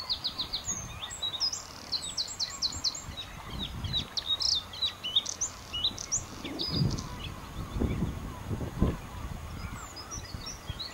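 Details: Bluethroat song on Texel in the Netherlands, varied and fast: bursts of sharp, high repeated notes alternating with twangy, buzzy phrases and brief pauses, over low background rumble.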